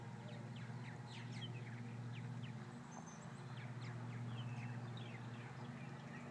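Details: After several hawk attacks, a large group of purple martins, probably over 50, keeps up busy overlapping chirps and rapid downward-swept notes throughout, set against a persistent low mechanical hum.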